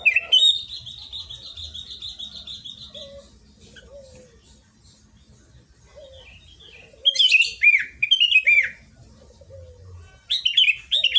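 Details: Sooty-headed bulbul (kutilang) singing actively in Garuda style: a three-second trill of fast repeated notes, a quiet pause with soft low chirps, then short bursts of loud, rich, slurred phrases.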